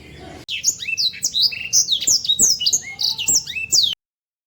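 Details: Energetic sanger (black-throated canary) song for bird training: about three and a half seconds of fast, varied, high twittering notes, some downslurred and buzzy, that cut off abruptly. A faint low hum sits in the background.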